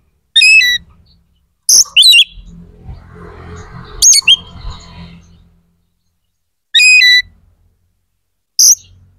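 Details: Oriental magpie-robin in full song, played to stir aggression and breeding drive in other magpie-robins: short, loud, high whistled phrases with rich harmonics, spaced by gaps of one to two seconds, over a low rumbling background.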